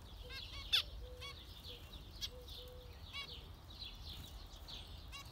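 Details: Zebra finches calling with brief nasal beeps scattered through the clip, alongside soft low steady tones and a quiet background hum.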